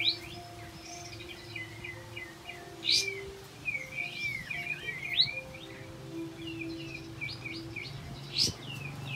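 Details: Olive-backed white-eye in full song, meant to coax quiet white-eyes into singing: sweet, rapid, high twittering phrases with sharp accented chips, over a faint constant hum.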